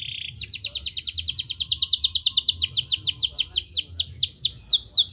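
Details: Canary in full vigorous song, a trigger recording meant to make silent canaries sing: a short buzzy note, then a long rolling trill of fast, high, downward-sweeping notes, about six per second, growing slightly louder.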